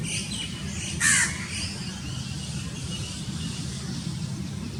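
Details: House crow, also called grey-necked crow, recorded in Pakistan: one short harsh caw about a second in, then only a steady low rumble and hiss of background noise for the rest.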